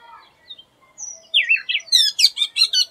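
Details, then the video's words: Oriental magpie-robin sings an unusual song unlike its typical one: soft high whistles, then rapid rising slurred notes and a loud burst of rich, buzzy warbled phrases. "Oriental Magpie Robin Singing an Unusual Song"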